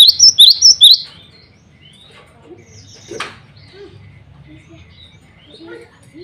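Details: A male cinereous tit gives a brief run of three sharp, high whistled double notes at the start, calling rivals and females. Then a long near-silent stretch with faint soft chirps and a single scratchy noise.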